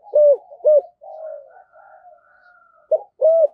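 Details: Spotted dove serving as a decoy, singing the 'Thổ' style with two ending notes. Two hollow coos, then faint drawn murmuring notes, then two more clear coos at the end.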